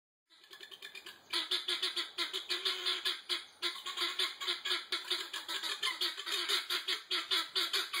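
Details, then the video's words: Guineafowl chattering loudly after being disturbed: a dense, harsh, rapid run of grating clucks repeated several times a second, steady throughout after a brief quiet start. "Guinea Fowl Chattering"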